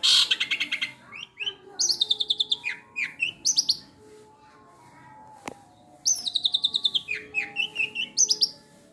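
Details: Long-tailed shrike singing a mimicked repertoire of fighting house sparrows, kingfisher and other song materials: fast bursts of sharp high chirps alternating with slurred descending squeaky notes, two loud chattering series separated by a quiet pause, with a single click midway.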